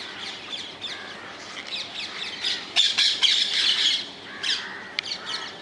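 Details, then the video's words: Wild Rose-ringed parakeets in the Netherlands: loud grating squawks in quick bursts, a noisy burst of overlapping screeches midway, several birds calling together against steady outdoor background. "Indian ringneck parrots in the wild, ringneck parakeets sounds"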